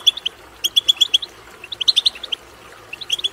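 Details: Goldfinch twittering song, offered to encourage goldfinches to sing: short clusters of crisp, high, ringing chirps about four per second, three bursts separated by brief pauses, clean and clear.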